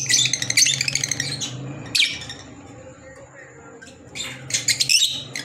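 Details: Green Fischer's lovebirds, kept as pets, giving harsh, buzzy squawking chatter in dense bursts at the start, again near two seconds and at the end, with quieter gaps between, over a low indoor hum and a steady high whine.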